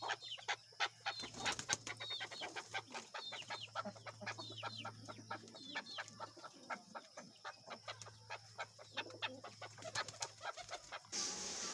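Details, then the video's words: Loose male chukar, a people-friendly desi bird, pours out a long fast series of clucking chuck notes that crowd together, ending in a rush of broadband noise, with a low hum behind. "Keklik Sesi || Chukar Desi Chakor ki Awaz"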